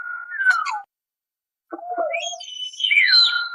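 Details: Common hill myna with a varied string of whistles: a steady tone that falls away, a short pause, a lower wavering note, then higher warbling notes that end on a long, level whistle.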